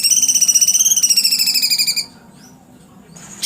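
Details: Cucak cungkok delivering a two-second, fast pulsed trill, high and buzzy, gently rising then easing down before it stops, followed by near silence and a faint high note.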